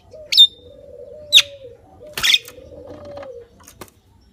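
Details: Javan myna giving sharp high whistled notes and a harsh rasping burst, spaced about a second apart, over a faint steady low hum.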